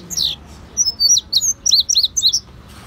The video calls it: Azulejo cubano/ Indigo Bunting cantando